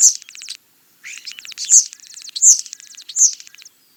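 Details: European starling singing: rapid clicking rattles and buzzy trills high in pitch, broken by a short pause, with sharp squeaky notes bursting out about every three quarters of a second.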